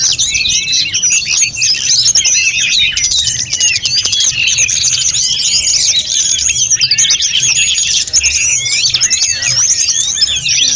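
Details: Snowy-browed flycatcher in full song for training other birds, an unbroken stream of rapid high twitters, trills and wavering whistles.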